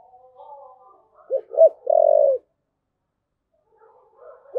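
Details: Spotted dove cooing in the thúc gù style: soft, wavering low notes, then two short, sharp hoots followed by a long, hoarse, level coo, with a new phrase starting near the end.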